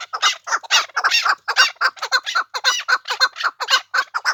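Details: Clear, separate chukar clucks from the Pamir, each a short hoarse burst, delivered in a rhythmic chain nearly twice per second.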